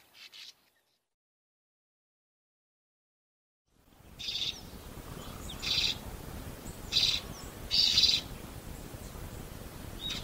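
A swallow gives short, high twittering bursts about once a second, over a steady rushing background hiss after a brief silence.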